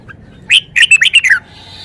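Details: Red-whiskered bulbul showing its song repertoire, one quick phrase of six or seven clear whistled notes, rising then dipping, ending in a falling slur, over faint low background hum.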